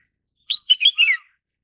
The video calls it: 紅耳鵯/Red-whiskered bulbul